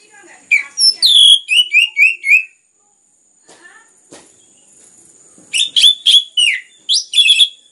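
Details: Orange-headed thrush singing continuously as a lure to make other birds sing: fast series of descending whistled notes, a pause with faint clicks, then another busy burst of varied sharp whistles.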